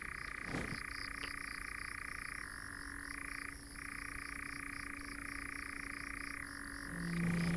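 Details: European nightjars (Caprimulgus europaeus) churr in long, unbroken mechanical trills shifting pitch, at least two or three males holding territory near nest or young, at night after 22:14 in Chizé state forest, Poitou-Charentes, France; faint low rumble and soft knock beneath.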